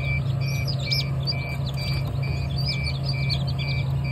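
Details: Chicks kept as pets give a steady stream of short, high peeps. A constant low hum runs underneath, and faint short tones repeat at regular intervals through the recording.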